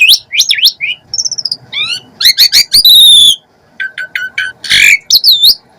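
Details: Gacor Asian pied starling singing full isian: rapid varied whistles, squeaky rising and falling notes, a long loud buzzy whistled note, stuttered chips and a harsh grating burst. The bird sings alone.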